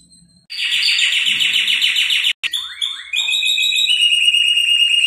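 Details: Canary singing to encourage another canary to sing: a rapid rolling trill for about two seconds, a short break, rising chirped notes, then a long, steady, pulsing high trill.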